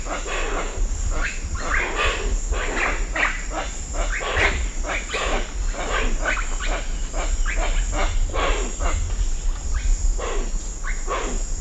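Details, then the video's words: Long run of coarse, raspy Hoatzin calls at Cocha Cashu, Manu, tightly packed bursts one after another, with a high continuous cicada drone and scattered bird notes. "Hoatzin. Calls And Wingbeats MCU."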